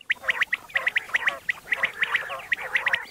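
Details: Common quail calling in the morning: quick, sharp, high chirped notes come in rapid uneven bursts, several per second, over softer scratchy chatter, with no other clear sounds.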